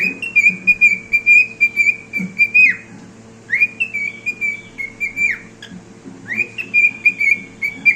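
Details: A singing pet cockatiel gives sustained clear whistles, each phrase opening with an upward slide and closing with a sharp downward drop, the notes pulsing rhythmically over a soft low hum.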